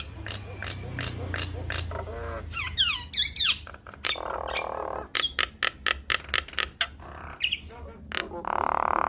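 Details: Nias hill myna pair duetting, played as a lure to make other mynas respond quickly. Harsh squawks and clicks mix with short looping whistles and a long rasping buzz, in irregular bursts with background hum.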